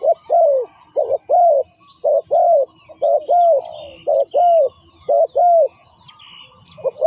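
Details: Spotted dove decoy cooing on the ground to call in wild doves; a run of husky, arched coos, doubled short notes alternating with longer slurred ones, with light high bird twitters in the background.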